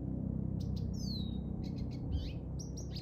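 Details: Lesser Goldfinch singing on 10 March 2024: a quick, jumbled run of high twitters and a sweet descending whistle, over a steady low rumble of background noise.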